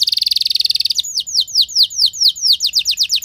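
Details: Canary in long, loud 'nembak' singing, played to stimulate other canaries to sing: a fast, very high buzzy trill for about a second, then a run of clear, downslurred whistles about four per second.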